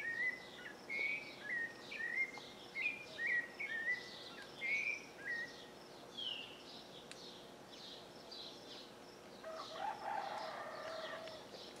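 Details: Rufous-bellied thrush (Turdus rufiventris) sings from a house roof ridge early in the morning just after sunrise, at a farm in the northeastern Brazilian sertão: a run of short, clear, fluted phrases, several each second; a fainter, rougher call from another bird follows.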